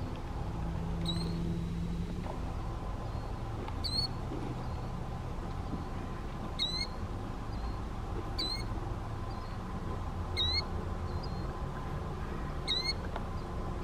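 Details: An adult killdeer, sex unknown, guards three fuzzy chicks in Portsmouth, New Hampshire, in July 2020, checking on them. It gives thin, high, sharp call notes, some doubled, every two to three seconds over a steady low rumble.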